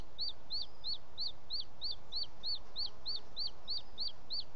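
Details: Late evening at the nest, Els Ports Natural Park, 18 June 2017: the male booted eagle, carrying an unidentified bird as prey, repeats thirteen piercing, arched whistled notes in a regular rapid sequence over faint hiss.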